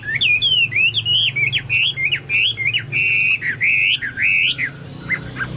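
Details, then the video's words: Chinese hwamei in full song, compared to cucak Papua or cucak mas: rich, clear whistled phrases with upward and downward slurs, repeated rapidly and continuously over a faint low hum. "burung hoa mi seperti cucak Papua atau cucak mas gacor"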